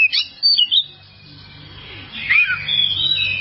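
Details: Oriental magpie-robin (kacer) training song for caged birds: a few sharp whistled notes open, followed by a quieter stretch of noise and then a fuller, slurred warbling phrase.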